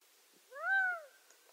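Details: Gambel's quail giving a single drawn-out, meowing call: a nasal note that rises, holds, then slurs downward over about half a second, against a quiet background.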